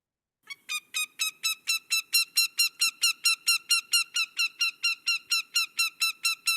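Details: An American Goshawk, formerly called Northern Goshawk, gives a fast, steady run of about twenty-five harsh, nasal kak notes, loud and evenly spaced; hearing this call is a cue to steer clear of the bird. Nothing else is heard.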